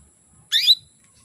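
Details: Female canary calling to bring males into breeding condition: one short, loud chirp with two quick, bright peaks, harsh and falling in pitch, amid quiet surroundings.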